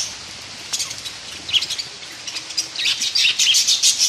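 Budgerigars give quick, high chirps and scratchy warbles over a steady hiss of rain.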